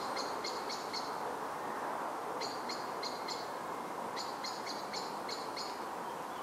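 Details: Common blackbird giving an alarm call in the background in deciduous woodland in Milton Keynes, UK, in 2013: three bursts of four to six sharp, high chinking notes, set against a steady broad hiss.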